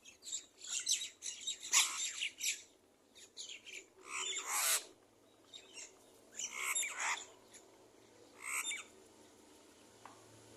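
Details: Angry crow calling: harsh, broadband, squawking caws in five ragged bursts over about ten seconds, some doubled or stuttered, with quiet gaps between them.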